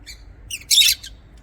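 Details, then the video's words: In an aviary, lovebirds let out a quick sequence of shrill chirps building to one loud, rasping, squawky note, then a short softer chirp. "LOVEBIRD SOUNDS"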